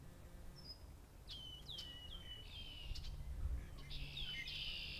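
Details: Red-winged blackbird song on farmland in Massachusetts, with other birds chiming in: a few sliding, downward whistles lead into a harsh buzzing trill, repeated after a pause, over faint low rumble.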